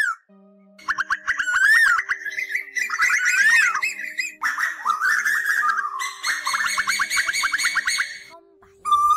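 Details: Asian koel calls, male and female, played as a lure for night-net trapping of migrating birds in August 2024: dense runs of rapid bubbling notes that climb and fall in overlapping bursts, with steady electronic humming tones beneath and brief silence at the start.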